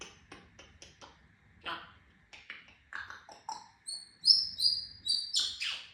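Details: Pet African grey parrot: a quick series of clicks and short rasping notes, then clear high whistled tones and a final loud squawk, in a quiet room.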